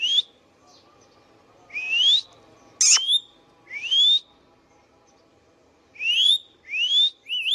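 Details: Indian ringneck parakeet at home giving rising whistles in two bursts separated by a quiet gap, with a sharp click partway through.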